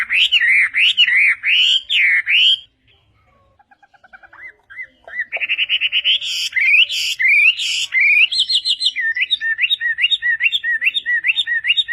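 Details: Chinese hwamei song with varied phrases for training other birds: looping whistles, a quiet gap with soft notes, then buzzy harsh bursts and a rapid run of hooked, chattering whistles.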